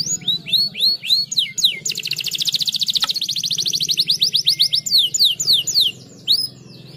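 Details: Caged canary song meant to stimulate singing, with looping downward whistles that give way to a long, very fast metallic trill, then more swooping whistled notes, backed by a constant low droning hum.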